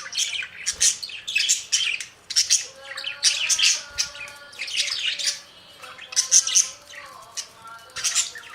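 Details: Budgies warbling in clustered bursts of chirps and scratchy squawks, each group lasting about a second, separated by short quiet spells; faint humming tones below.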